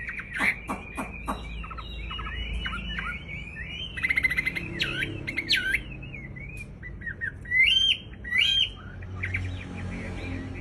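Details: Sooty-headed bulbul in breeding condition delivering a varied song: sharp clicks and ticks at the start, then wavering whistled phrases, with louder bright bursts near the eighth second and quieter notes closing.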